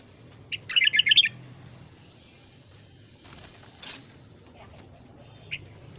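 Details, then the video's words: Morning song of a red-whiskered bulbul used for voice training, one rapid run of sharp, chattering whistled notes near the start, followed by faint rustling and a couple of isolated soft chirps. "luyện giọng chào mào hót sáng"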